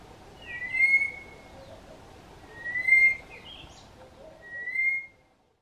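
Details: Southern boubou calling to its mate, which did not reply, for about three minutes: three clear, mellow, slightly rising whistles about two seconds apart, with fainter short notes between over a quiet background.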